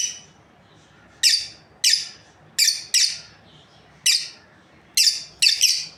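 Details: Breeding pair of lovebirds giving sharp, high-pitched chirps in short bursts, some doubled, spaced irregularly about every half second to a second over a quiet background.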